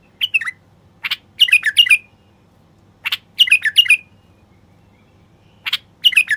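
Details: <caption 3>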